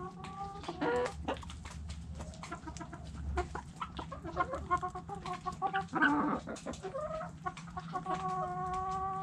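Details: Backyard chickens in a coop: hens give short, repeated harmonic clucks and squawks, with several birds calling over one another against a steady low hum.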